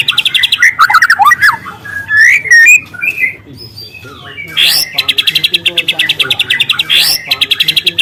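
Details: Wild white-rumped shama singing long, loud canary-like phrases for luring: tumbling whistled slurs give way to fast, even rattling trills repeated in bursts, with sharp high sweeps between them.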